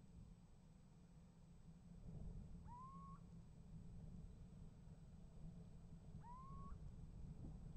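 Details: A little owl at a nest box, 28 January 2015 at 7:36, gives two rising, mewing calls about three and a half seconds apart and gets an answer, over a steady low rumble.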